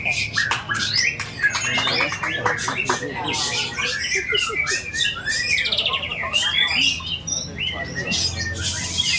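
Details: White-rumped shama singing a busy medley of sweeping whistles, chattering notes and harsh squawks, tightly packed and varied, with a faint low hum beneath.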